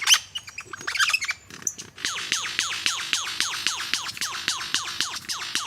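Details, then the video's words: Superb lyrebird singing: after a few mixed chirps and notes, a fast loud series of about fifteen repeated downslurred ringing notes, evenly spaced roughly three per second, delivered in a steady rhythmic run. "Superb Lyrebird"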